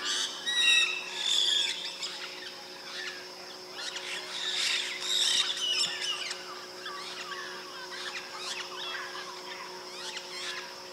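Several white-bellied parrots give sharp, squeaky high chirps and shrill notes in irregular bursts, over a steady droning hum.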